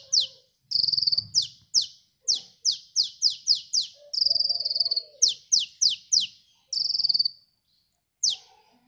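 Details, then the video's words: A sunbird sings a rapid series of high, sharp, thin notes with several longer trilled buzzes mixed in, over faint low background noise. It is used as a lure call for attracting birds. "Suara burung KOLIBRI gacor"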